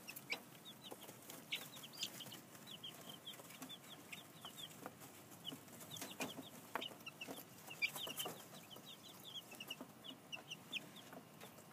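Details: Chicks two weeks old, newly moved outdoors into a temporary pen and still wary of the open space; steady stream of thin, high peeps in quick clusters over quiet background, with occasional clicks.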